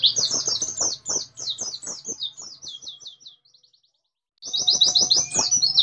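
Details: Oriental white-eye singing 'nembak' style, fast and tightly spaced: quick high twittering notes that fade and trail off, a gap of about a second, then another burst of rapid chirps.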